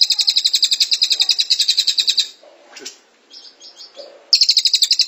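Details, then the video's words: Cililin, the velvet-fronted nuthatch, in long-duration rapid-fire song meant as a master recording for caged birds: a sharp, high, rattling trill lasting two seconds, quiet scattered chips, then the trill resuming. "Masteran Cililin Tembakan Rapat Durasi Panjang"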